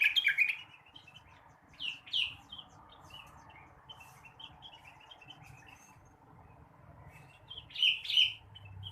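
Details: Blue-winged leafbird singing in the morning to stimulate untrained birds: opening burst of rich warbled notes, paired loud chirps, continuous soft twittering, and a final strong flurry of whistled phrases.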